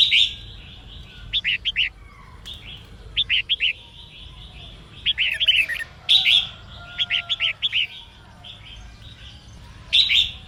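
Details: Female red-whiskered bulbul song used to stimulate males to sing: repeated phrases of quick, clipped chirping notes in trios alternating with longer buzzy whistles, recurring through the recording.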